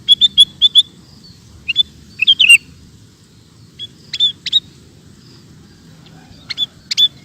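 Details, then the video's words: Sooty-headed bulbul singing in gacor style for cage-bird training: scattered clusters of short, clear whistled notes, some in quick runs of four, others as single chips, spread over seven seconds above a faint steady rumble. "Suara Burung Kutilang Gacor"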